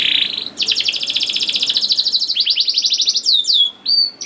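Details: Young-canary lure song: a short buzzy note, then a long rapid rolling trill with a brief break, ending in a few high, sharply falling whistles.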